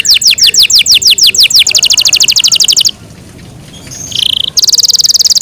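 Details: A pet Yorkshire canary sings rapid high tours: quick downslurred notes, then a faster bright trill, a brief pause with a short whistle, and another rapid ringing trill.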